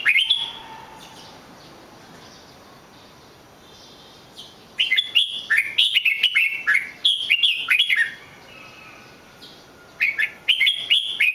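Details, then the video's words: Red-whiskered bulbul song: brief warble at the start, a long quiet gap, then vigorous bursts of rich whistled, slurred notes in quick succession, ending with another short phrase. "chào mào hót cực hay"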